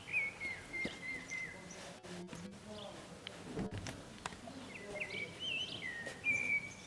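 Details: Common blackbird singing atop an antenna in the town of San Martín, Zamudio, Txorierri, Bizkaia, 18 April 2019; mellow fluted phrases open and close the stretch, with a quieter middle of rustles, clicks and faint twitters.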